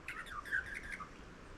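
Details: A spiny-cheeked honeyeater flying across woodland west of the Divide gives its mournful whistle, a quick run of liquid whistled notes slurring up and down over about a second, against a faint background hiss.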